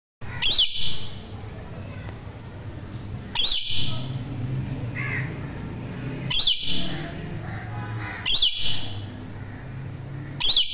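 Swainson's lorikeet gives short, harsh, shrill screeches about every two to three seconds, over a low indoor hum.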